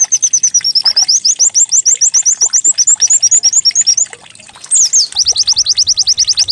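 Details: White-eye (pleci) song played as a decoy to get birds singing, said to resemble a canary: a long string of high chirps and slurred notes, a brief lull, then a quick run of downslurred whistles.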